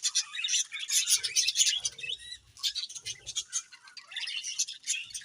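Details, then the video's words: Budgies chirping in rapid, pulsing chatter, many quick high squeaks and warbles in clusters, with soft low rustles or wing movement between them. "Beautiful Budgies Chirping Sounds"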